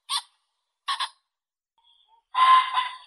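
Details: Common pheasant calling: two short harsh, hoarse notes spaced about a second apart, then after a pause a longer, louder grating crow-like squawk with a rough, buzzy texture, all in a quiet clean recording.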